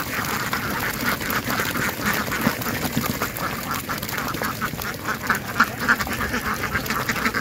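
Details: A group of ducks quacking steadily, with rapid, overlapping nasal quacks running through the whole stretch, about three per second.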